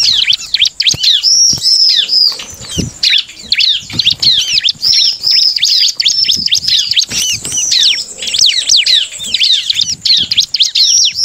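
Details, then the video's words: Bar-winged prinia singing to provoke rival males into answering: a long, loud, nonstop stream of rapid, high, downward-sweeping notes, with brief pauses and occasional low knocks. "SUARA CIBLEK Cari Lawan Paling jitu memancing ciblek lain emosi dan langsung bunyi"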